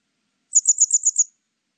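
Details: Grey wagtail, recorded in 2020: a quick burst of six sharp, very high, slightly buzzy notes, evenly spaced over under a second, against a silent, clean background.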